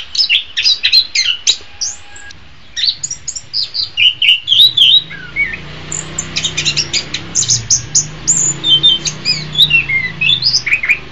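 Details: An Orange-headed Thrush song used as a master recording for training songbirds sings a rich, varied run of high whistles, quick trills and slurred notes in steady bursts, with a faint low hum beneath.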